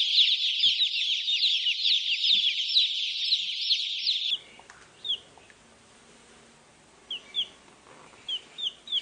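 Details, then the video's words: Chicks, some with their mother hen, first in a loud, dense chorus of shrill peeps, then after a cut only a few scattered single chirps against quiet. "Chicks (and Chirping)"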